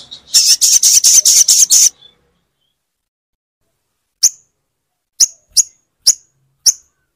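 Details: Crimson sunbird played to coax a silent bird into song: a short burst of quick, very high buzzy pulses, then after a pause five spaced, sharp thin chip notes.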